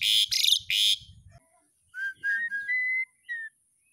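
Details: Asian pied starling sounds played daily to prompt a young bird to sing: three loud, harsh, rasping bursts, a pause, then a series of clear, level and slightly falling whistles.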